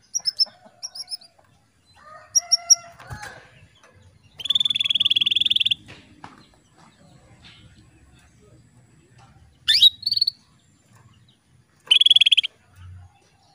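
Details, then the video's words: Female canary calling the male, a lure recording meant to bring the male into breeding condition; loud buzzy chirps and sharp rising upswept notes, separated by pauses of several seconds, over faint low rustling. "PANCINGAN KENARI BETINA MEMANGGIL JANTAN"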